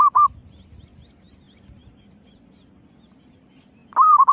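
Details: Female zebra dove lure call: the tail of a cooing burst, nearly four seconds of quiet with faint low rumble, then a fresh phrase of quick, mellow, stuttering hoots.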